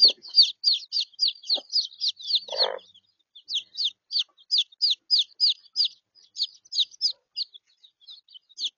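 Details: Young chickens, three-week-old chicks left by their mother and housed with three-day-old chicks for warmth in Australia, including Wyandotte cross, Araucana cross, Easter Egger and Sebright. Shrill falling peeps repeat rapidly, about three per second, with a short scratchy noise midway.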